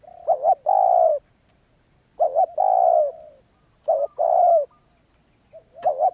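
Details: Cooing Spotted dove, described as a tenacious wild bird, delivers four phrases about every 1.8 seconds. Each is a quick doubled coo followed by a long mellow falling note. A steady faint electronic whine sits high in the background.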